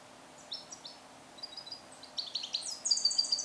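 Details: Captive-born European goldfinch, hatched in 2021 and song-trained in the Neapolitan style, held alone in a small carrier cage; scattered high chirps build into a fast, dense twittering burst near the end.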